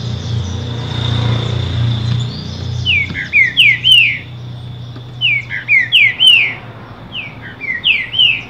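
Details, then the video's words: A captive green-winged saltator replies to another bird with three phrases of bright, looping whistled notes about two seconds apart, after a low rumble like a passing vehicle; a faint steady hum continues. "Trinca Ferro Cantando"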